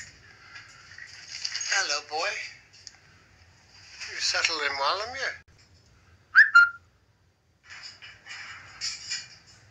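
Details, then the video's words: Macaws, including a big blue macaw, vocalise just after enjoying a shower indoors: two drawn-out speech-like phrases with wavering tones, then a brief sharp whistle and softer chatter near the end. "Macaws just enjoyed a shower - Talking"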